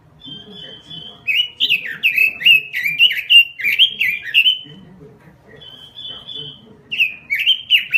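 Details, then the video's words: Robin in gacor singing: a steady high whistle, then a fast torrent of chirpy, warbled notes for several seconds, a lull with another level whistle, then the rapid phrases start again. "SUARA BURUNG ROBIN GACOR"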